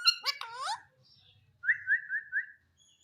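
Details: Green Indian ringneck parrot: a quick harmonic speech-like phrase with sliding notes, a pause, then four short clear whistled notes in even succession.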